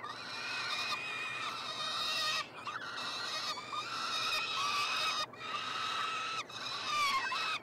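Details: Feeding time for three peregrine falcon nestlings in a Montreal university nestbox, Canada, 21 June 2022: repeated raspy, strained wails about every two to three seconds, steady in pitch and rich in overtones.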